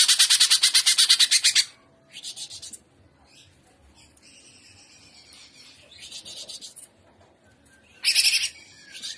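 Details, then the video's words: Greater green leafbird singing full jamtrok trotolan style: a long, loud rattle of rapid pulses, a softer stuttering phrase, quiet high chatter, then another sharp burst. "TROTOLAN CUCAK IJO Paud JAHAT FULL JAMTROK GACOR GAYA UDANG"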